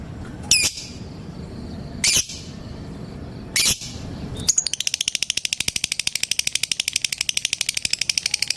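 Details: Lovebird calling, sung to provoke a rival and trigger other lovebirds into a long ngekek trill: three sharp, harsh bursts about 1.5 seconds apart, then a fast even rattle of clicking notes from about 4.5 seconds to the end.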